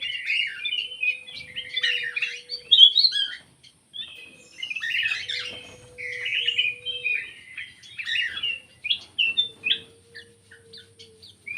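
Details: Black-crested bulbul lure call, used to attract birds. Bursts of bright chirps and short warbled phrases come in groups of about three seconds with short pauses between them. A faint steady low tone runs underneath.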